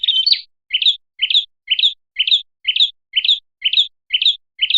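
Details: Red-headed prinia lure call: an opening rapid chatter, then short sharp chirped notes, each a quick rising-and-falling twitter, repeated about twice a second at a steady pace.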